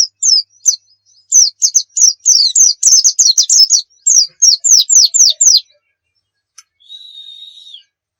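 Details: Oriental white-eye song for training other birds: a few sharp chirps, then a fast regular series of high downslurred whistles, roughly three per second, followed by silence and a faint steady tone.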